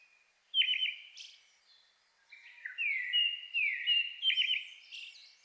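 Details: In May, in a highland forest in the Shinetsu region of Japan at dusk, a Brown-headed thrush sings short, clear phrases of fluty slurred notes and quick rolling trills followed by a thin high note, competing with a nearby Japanese thrush.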